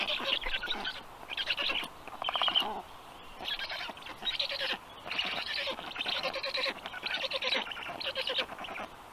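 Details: Black stork young at dinner time on the nest, 15 June 2022, fed herring; repeated harsh rasping bursts about once a second, uneven rhythm, some longer pulsed stretches.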